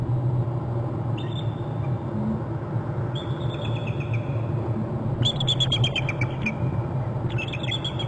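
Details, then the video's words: Bald eagles at a Hornby Island nest, recorded by a territory cam as one eagle flies away and alerts its mate. A brief high whistle, a longer piping note, then rapid stuttering chatter of repeated high notes and a final burst, over low rumbling noise. "eagle flies to the right, alerts mom off to bst"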